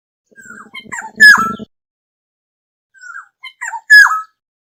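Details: Black-hooded oriole flock call used as a lure: two phrases of short nasal notes building to a loud, harsh, down-slurred squawk. A low pulsing buzz runs under the first phrase.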